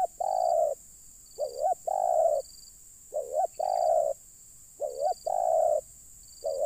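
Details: While wild birds are being lured, a spotted dove coos steadily, each phrase a quick wavy note followed by a long level coo, about every one and a half seconds. A faint high pulsing tone runs behind it.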